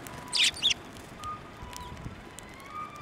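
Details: Sparrows flying onto a hand for food at a Tenmangu shrine, 1 March 2024, give two brief, high, sharp chirps in quick succession, followed by quiet outdoor background.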